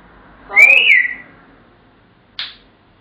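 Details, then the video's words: Pet African grey parrot whistling Pop Goes the Weasel indoors: a loud arching whistle rising then dipping, with faint low undertones, followed by a short raspy high note. "The African Grey - Pop Goes The Weasel"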